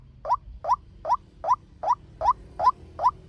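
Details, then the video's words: Evenly spaced upswept notes from a male white-breasted waterhen, about two and a half a second, a fast lure call used for training birds or speaker trapping. "Tiếng chim quốc trống mồi tốc độ"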